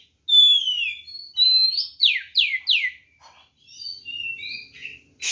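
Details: Fighting song of a white-rumped shama, used to provoke other birds: clear whistled notes followed by three loud steeply falling slurs in quick succession, then softer short whistles and a pause.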